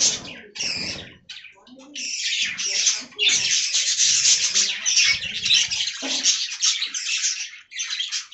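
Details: Budgerigars, several in an aviary, eating fresh green leaves; dense high chattering warble with scratchy chirps runs almost without pause after a short broken opening, with soft low rustles and knocks beneath.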